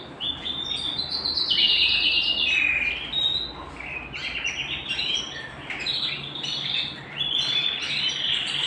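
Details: Canary at home delivering a continuous rolling song of quick trills and chirps, notes sliding down then rising again, with a low background hum.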